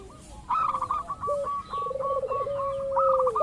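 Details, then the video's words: Local zebra dove used as a lure to set other birds calling: after a quiet start, a steady run of short staccato coos, with a lower wavering drawn-out coo beneath, several doves overlapping. "pancingan burung perkutut lokal ampuh , perkutut lokal jago memancing lawan bunyi"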